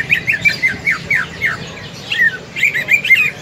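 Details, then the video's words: Greater green leafbird in fighting-call mode, used to train other leafbirds' fighting spirit: a run of loud slurred whistles and squawky chirps, then rapid chattering notes, over steady low background hiss. "CUCAK IJO TARUNG INI, COCOK UNTUK MELATIH MENTAL TARUNG CUCAK IJO LAIN"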